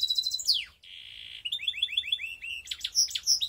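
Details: Skopje hybrid canary: a descending sweep, then a flat, steady buzzy tone lasting about half a second, followed by a run of repeated upslurred chirps and loud high whistled notes.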